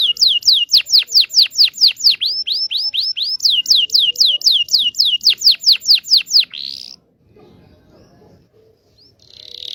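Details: Local Indonesian canary training song for young birds: a steady run of about thirty sweeping high repeated notes over six seconds, a short buzzy flourish, then quiet before a faint trill begins.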